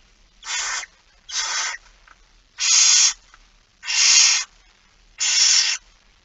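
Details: Barn owl young begging as food arrives, Friesland, Netherlands, September 2019 morning: five rasping hisses in a fairly steady series, the last three louder and longer.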